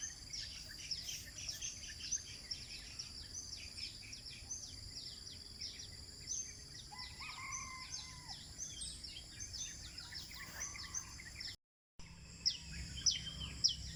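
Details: Morning chorus at sunrise in Eco Park 1, Bandar Seri Botani, Ipoh, Malaysia: busy high chirps dropping in pitch, roughly a hundred per minute. A short lower whistled phrase comes midway, with a brief pause near the end and constant high drone.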